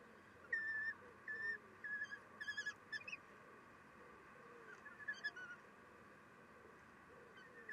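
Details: Female common kestrel feeding chicks at the nest on a June morning in 2021. Short, level squeaky calls repeat about every half second, followed by a rapid stuttering burst, then quieter scattered squeals over steady hiss.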